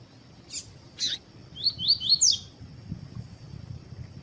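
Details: Captive double-collared seedeater of the tui tui style, paired with a female for contest training: two short rasping notes, then a fast run of four falling whistled notes over a steady high-pitched whine.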